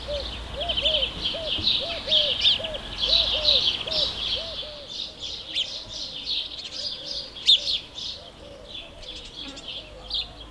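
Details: Dense, lively chirping of house sparrows, with a low, soft cooing note repeated rhythmically underneath during the first half and a few sharper chirps later.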